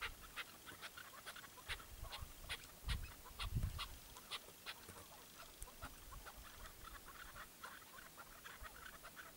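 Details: Chukar partridge, a tethered bird used in hunting, gives short repeated clucking notes in quick series throughout, with a few low thumps near the middle.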